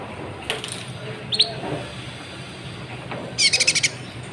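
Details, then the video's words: Olive-backed sunbird, known locally as konin or kolibri ninja, used as a lure recording to stir up other birds; a few scattered high chirps, then a quick burst of five or six sharp, high ticking notes near the end, over faint background hiss. "PANCINGAN KONIN GACOR, AMPUH BUAT MENAIKAN EMOSI BURUNG"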